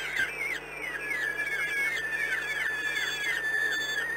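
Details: Peregrine falcon at the ORLEN site in Płock, 13 May 2016 around 13:20: a rapid run of thin, whining whistles, each sliding downward, overlapping and repeated several times a second over a steady low hum.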